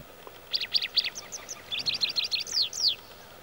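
White-browed Wagtail giving a quick run of bright, high chirps and twittered notes, some sliding downward, over about two and a half seconds against a quiet background.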